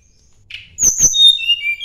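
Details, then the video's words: Sunda blue robin song aimed at a rival: a short buzzy note, two hard clicks, then a long high whistle falling in steps to lower pure tones. "kicau tledekan gunung mencari lawan"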